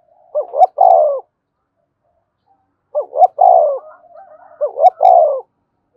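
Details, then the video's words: Spotted dove decoy cooing to spur a captured bird: three clear low phrases, each two brief notes followed by a longer throaty coo, spaced about two seconds apart, with faint clicks. "Tiếng chim cu gáy kích bổi nhanh nổi, cu gáy mồi luyện bổi thúc sung nhất hiện nay"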